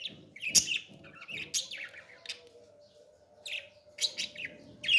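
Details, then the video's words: Baby parrot being fed, giving harsh, buzzy chirps in short bursts, some shrill and high, grouped around the start, middle and end with quiet gaps between, over a faint steady indoor hum. "beautiful parrot 🦜 baby feeding"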